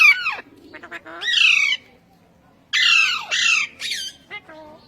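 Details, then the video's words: Indian ringneck parakeet, described as talking in Urdu and Hindi, giving loud harsh squawking phrases with falling harmonic sweeps, a sharp burst early, a longer phrase near the start, then two quick loud calls and short softer notes, in a quiet room. "Best Ringneck Talking Parrots | Urdu Hindi Bolne Waly Behtreen Talking Parrot"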